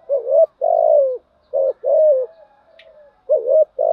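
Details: Spotted dove calling as a lure in the thúc gù and gáy gọi styles. Close, loud, mellow cooing: short hoots alternate with longer, slightly falling coos, then a faint low murmur before two more hoots.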